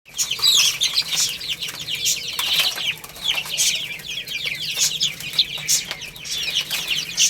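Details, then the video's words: Baby chickens eating rice, a dense chorus of many high, thin chirps overlapping continuously, with sharp clicks and brief rustling throughout. "Beautiful Chicks Chirping Sounds"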